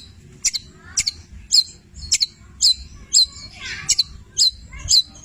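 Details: A Long-tailed shrike (cendet) gives a run of sharp, high, scratchy chirps, about two each second, with a few buzzier notes, over a faint hum; described as singing a full repertoire including labet and canary-style phrases.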